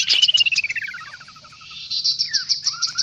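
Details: Kaso-kaso bird lure recording, noisy: a long whistled note slides downward into a string of quick falling chirps. A pause follows, then high rapid chatter and two rising whistled phrases, over a faint low hum.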